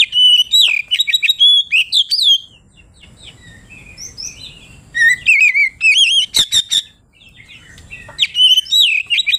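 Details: Loud, continuous kacer (Oriental magpie-robin) song described as calling out opponents: varied high whistles, trills and clipped chirps in rapid bursts, a quieter lull mid-clip, then sharp crisp notes and more whistled phrases.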